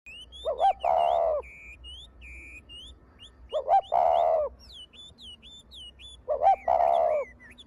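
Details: Spotted dove kept as a contest bird, giving three deep, harmonic cooing phrases about three seconds apart, each a short lead note then a longer rolling coo, while another bird adds thin high whistled chirps in between.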